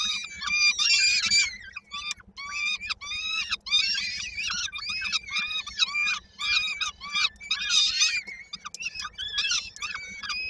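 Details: Hungry peregrine falcon chicks, Koszalin, Poland, 19 May 2022, expecting their mother with supper: a rapid stream of short, arched, harmonic squeals, several chicks overlapping in places, with occasional louder harsh bursts and a low background drone.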